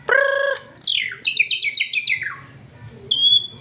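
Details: White-rumped shama song for stimulating a pet bird to sing: a buzzy harmonic note, then a rapid cascade of sharp descending whistled notes, ending in a clear high sustained whistle.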